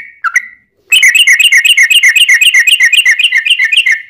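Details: Sooty-headed bulbul song used as a lure for answering bulbuls: a single whistled note, a short pause, then a fast, even trill of bright repeated notes, nearly four per second, rich in high overtones.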